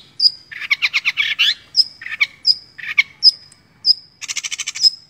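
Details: Long-tailed shrike, called cendet in Indonesia, a hobbyist's competition bird used as training song for other songbirds; a high clear whistle repeated every half second or so, alternating with rapid buzzy chattering bursts.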